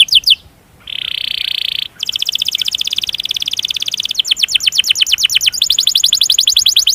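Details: Canary song with an emotional long roll, used to provoke other canaries. Brief notes, then a sustained buzzy tone, then an extended, evenly pulsed rolling trill that grows more emphatic.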